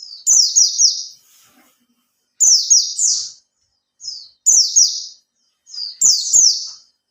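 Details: Caged Oriental white-eye, three months in care, giving a song used to spur other birds: four clusters of thin, high, rapid downslurred notes, roughly every two seconds, with soft clicks.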